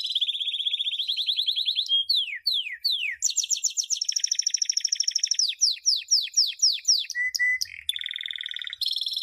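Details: Canary champion training song for youngsters: a long even trill, then steep descending slides, a broad buzzing roll, a series of falling whistles and brief flat tones.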